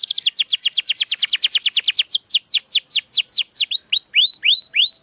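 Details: Canary singing as a training lure for birds that have stopped singing: a fast trill of sharp downward whistles that gradually slows into spaced, upward-arching sweet notes.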